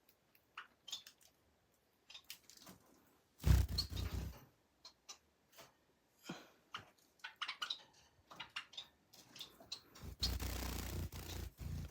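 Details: Indoor room noise with scattered clicks, rustling and chewing-like taps, plus two louder broadband bursts, and no clear animal voice.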